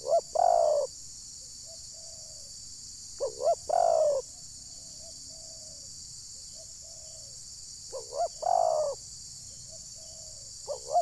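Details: Decoy spotted dove (terkukur) used for bird trapping in Ujung Batu, Rokan Hulu, Indonesia, its call said to anger wild birds; several loud cooing notes come in bursts, with softer faint coos between them.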